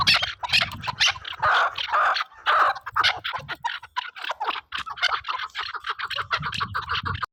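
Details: Chukar partridge, with a Khyber Pakhtunkhwa tag. Rapid bursts of clucking, chattering notes repeat about twice a second in uneven runs, with brief gaps of silence between them.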